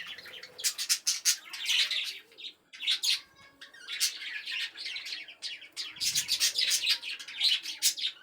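A colony of budgerigars chatters constantly with high, scratchy chirps and warbles.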